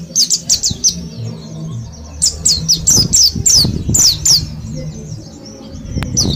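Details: Rapid run of high, sharply falling chirps from a caged mountain white-eye of Mount Slamet, kept in a group and ten days into learning ngalas song, with faint low humming beneath.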